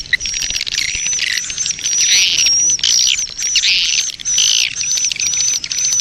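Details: Swiftlet colony breeding-mood lure sound, played to attract swiftlets: buzzy, rasping chirp bursts in quick succession over a steady, thin high whistle-like tone running throughout.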